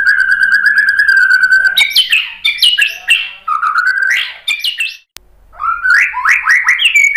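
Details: White-rumped shama singing to provoke other birds: an even trilled whistle, then loud upward-sweeping warbled phrases, a short gap, and more rapid rising slurred notes with clicks.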